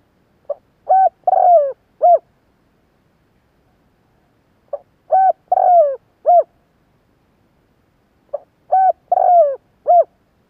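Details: Spotted dove luring wild doves: three phrases about four seconds apart, each a faint short note, a clear note, a long falling coo, then a crisp closing note.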